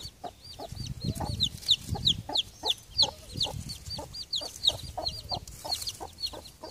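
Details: Broody hen with three chicks hatched in early October, late in the year, among fallen leaves; high descending chick peeps repeat rapidly over soft low hen clucks, with some rustling thumps.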